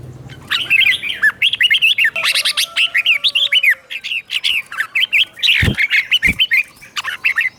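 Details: Caged red-whiskered bulbul used as a tutor bird in Thailand, giving doubled 'berl' song phrases for other birds to copy: rapid chains of bright, rising and falling warbled notes, nearly continuous, with two low knocks late on.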